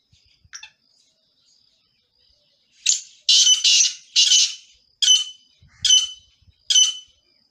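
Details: Singing male black francolin gives a short faint note, then six harsh, grating, buzzy bursts. The first three run close together and the last ones are spaced about a second apart, against quiet surroundings.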